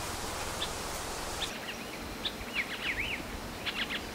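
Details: A Hawaii elepaio of the subspecies ridgwayi, from the Big Island's upland rainforest, gives a few sharp chips, then a quick run of rising-and-falling whistled notes and short chip notes, over steady broadband background noise.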